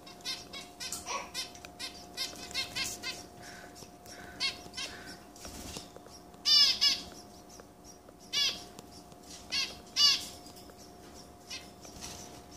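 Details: Baby zebra finches begging at feeding time in a cage with three breeding pairs, one brood fed by the father; clusters of thin high chirps and several louder harsh buzzy begging bursts.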